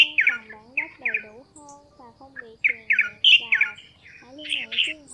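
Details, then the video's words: Red-whiskered bulbuls, male and female, calling the flock in a trapping lure. Rough two- and three-note chirps repeat about 220 times a minute, over low gliding tonal sounds. "Tiếng Chào Mào Xanh , Bông Lau Trung Quốc Gọi Bầy Trống Mái"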